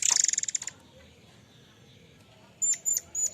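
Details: Murai air mancur ending a rapid rattling trill of high pulses, a brief quiet gap, then three short sharp high whistled notes in quick succession.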